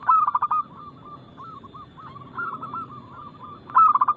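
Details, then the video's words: Local zebra dove in lively song, described as fast-noted and loud with a crystal-clear voice: a burst of rapid staccato coos opens and closes the clip, with softer wavering coos from other doves continuing in between. "PERKUTUT LOKAL GACOR Nada cepat Suara keras kristal Bikin cepat bunyi ( Pancingan Burung Anggungan)"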